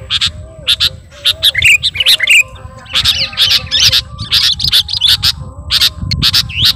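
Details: Sooty-headed bulbul singing busily while calling to a rival: dense bursts of harsh, chattering notes and squeaky chirps come in quick clusters, with a low hum underneath throughout.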